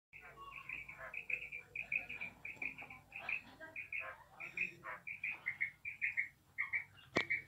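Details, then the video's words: A female quail gives a run of short, high chirping notes in quick, uneven succession, with a sharp click near the end. "female quail sound"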